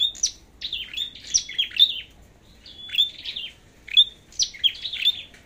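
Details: Red-headed flowerpecker singing in a competition bout: short, thin, high clicks and sharp downslurred notes, each cluster ending in a brief steady whistle, delivered in quick bursts separated by short pauses.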